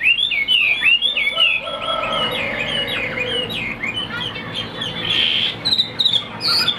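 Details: Hwamei song from a kept bird: a rapid string of short slurred whistles at the opening, thinning into scattered higher notes, with a bright sustained whistle around five seconds and a faint lower tone underneath.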